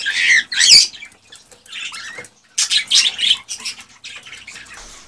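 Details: Excited male cockatiel song used to stimulate a female toward mating and breeding: dense, scratchy warbling chatter with wavering whistled notes, one loud harsh squawk near the start and a short pause midway.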